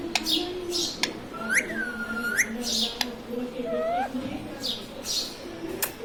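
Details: Indoor pet ring-necked parrot, trained to talk, repeating swooping up-slurred whistles and sharp clicks, interspersed with soft breathy chatter and low murmuring sounds.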